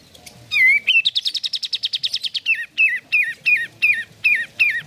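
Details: A sooty-headed bulbul sings a fast run of about fifteen bright chirps, then repeats a clear, bouncing, whistled phrase about every half second; the song is used to prompt caged birds to sing.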